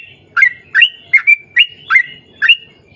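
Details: Vigorous Sooty-headed bulbul, 'ropel panjang' style: six loud, bright slurred notes, each with a crisp attack, spaced about half a second apart.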